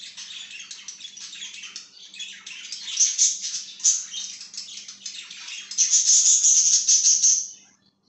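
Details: Pet budgerigar chirping rapidly in a small room, fast scratchy clicks building into a sustained shrill whistled trill near the end before stopping.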